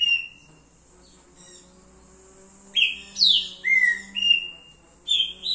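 A green-winged saltator sings a quick run of clear whistled notes, some slurred down and some held level, after a faint opening whistle. A low steady hum runs underneath.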